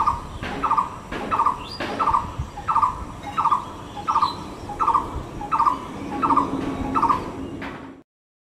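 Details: A Blue-throated Barbet, recorded from a balcony, gives a loud, rolling, mid-pitched 'took-a-rook' note, repeated steadily more than once a second, with faint background noise and a few sharp knocks.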